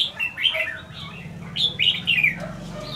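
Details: Wild-caught red-whiskered bulbul from Lương Sơn, one week in a decoy cage, delivering loud bubbly warbled phrases in two bursts of rapid rising and falling notes, over a faint low hum.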